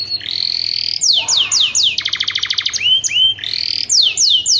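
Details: A canary mating song, used as a lure for other canaries, is loud and fast, with sweeping downslurred whistles, rapid buzzy trills and rolling tours, all high-pitched and continuous.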